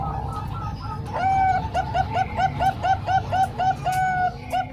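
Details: Zebra doves, three Bangkok birds and one local one, in song: after a few soft coos comes a quick, regular string of short, bright, curved notes about four per second over faint background rumble.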